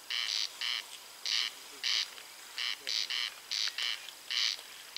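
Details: Two corncrakes singing quite close together at night near Spała in May, heard during a bird race: dry rasping double notes, crex-crex, repeated in paired bursts about every half second against a quiet background.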